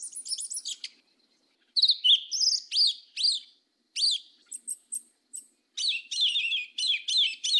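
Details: Yellow-legged thrush, mateiro do sul song: bursts of rapid high chirps and slurred whistles, including a series of short sharp notes, ending in a dense fast trilling sequence; quiet background.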